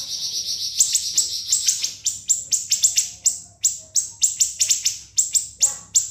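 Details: High, piercing siri-siri song used to train other songbirds: a fast trilled opening sliding into regular sharp, jerky notes repeated about three times per second, nearly unbroken.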